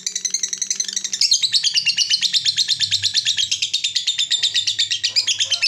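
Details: Lovebird ngekek panjang, or long chattering trill: dense, high, raspy notes delivered in a rapid continuous rattle, growing louder after the first second and holding steady to the end, with a soft low hum beneath.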